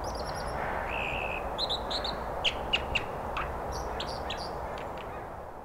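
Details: American dipper by the Britannia Slough in Dentville, Squamish, giving a drawn-out whistle, then scattered sharp high chips and short notes, set against constant flowing-water noise.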